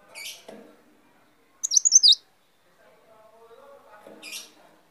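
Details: Leaf warbler, a small agile bird, gives a short high twittering phrase of quick sliding notes lasting about half a second. Fainter high buzzy chips come before and after it, with soft low murmuring in the background.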